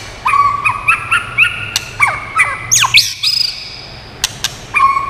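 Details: White-rumped shama song played to stimulate and train birds: loud clear whistled notes in short phrases, level and stepped tones, with sharp clicks and a steep upward sweep.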